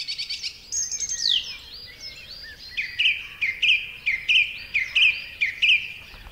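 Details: Song thrush singing in strident, full-whistled separate phrases, with each note or short phrase repeated several times. A run of identical sharp whistled notes repeats roughly every half second, and the whole song rings clear over a quiet background.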